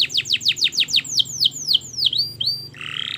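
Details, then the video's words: Canary singing a long master song meant to lure canaries into learning: a series of sweeping down-slurred notes that slow and lengthen, then a brief buzzy trill at the end. "Masteran Kenari Gacor Panjang‼️Cocok Untuk Pancingan Kenari Belajar Bunyi dan Macet Bunyi"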